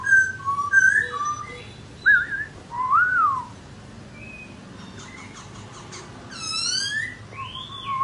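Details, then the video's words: A laughingthrush dancing while it sings gives rising and falling whistled slurs, short clear notes and a burst of bright descending phrases near the end, against a soft steady background hiss. "Khướu Muá Hót Như Thế Này Đạt Chưa Anh Em"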